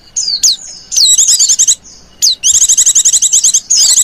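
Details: Wild white-eye lure: a few falling slurred notes open into fast, shrill chattering trills, with a brief pause near the middle before the twitter resumes.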